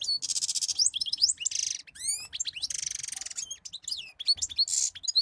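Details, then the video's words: European goldfinch in continuous, fast song mixing bright chirps, upward-sweeping whistles and harsh buzzy nasal trills, repeated several times over a few seconds. "أحلى صوت مقنين"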